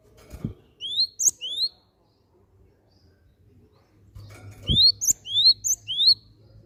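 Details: Cinereous tit calls played as a lure to get other birds singing: two bursts of clear, whistled, rising notes, three then four in quick succession, each sweeping upward, with a low thump and faint background hum between bursts.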